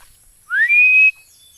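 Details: Philippine eagle giving a single loud, clear whistle that sweeps upward, then holds steady and high for about half a second before stopping abruptly.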